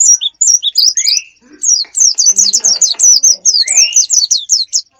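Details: Bird sounds played as a lure for wild birds: rapid series of high, sharp chirps in quick bursts, broken by two short rising whistles, with faint clicking and a brief low murmur in the background.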